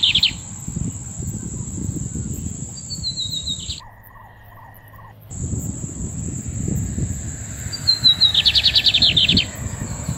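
Lined Seedeater song of quick, high buzzy notes and a fast rattling trill, over a steady high hiss and low rumbling background with a brief break.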